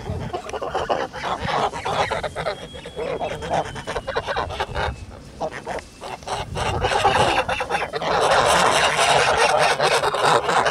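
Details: Kholmogory geese kept on a farm, recorded 10 August 2017: harsh, nasal honks, rapid and overlapping, growing louder and denser toward the end, with broadband rustling and outdoor noise throughout.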